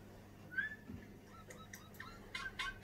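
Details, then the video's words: Captive Eurasian bullfinch, kept in a large cage and singing all daylight, sings quietly: a few soft, piping whistles then short creaky, scratchy notes over a low hum; it is to be released in spring. "Пение снегиря"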